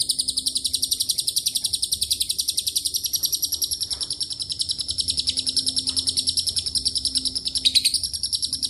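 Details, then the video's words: Lovebird in a long ngekek filled with cililin and canary material: continuous high-pitched rattling chatter at a quick steady beat, briefly dipping in pitch near the end, over a soft low hum. "LB NGEKEK PANJANG ISIAN CILILIN & KENARI"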